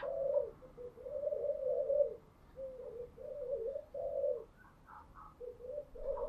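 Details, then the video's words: Spotted dove cooing in the morning, heard more distantly over steady background hiss: a run of low muffled coos in short bursts, with fainter higher notes near the end. "Tiếng chim gáy buổi sáng"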